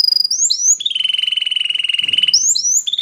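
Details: Canary singing, played as training material: a couple of upward-slurred whistles, then a long, steady, rapidly pulsed rolling trill lasting over a second, ending with further rising slurred notes.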